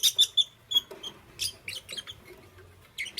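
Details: Lovebirds in the morning, green, yellow and lutino birds: a few short high chirps at the start, then scattered squeaky and scratchy notes at irregular intervals, with a final burst of chatter.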